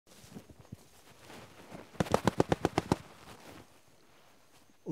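A Red-crowned Woodpecker drums a quick burst of about nine sharp, even knocks lasting under a second, against quiet background rustling.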